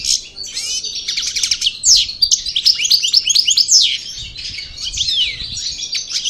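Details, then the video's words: Parva goldfinch of El Bordj origin, just out of moult, singing a fast jumble of tinkling chirps, sharp down-slurred notes and buzzy twitters, rising in intensity after the first second. "Chardonneret Parva Cravaty D'el Bordj Sortie De Mue Repassage"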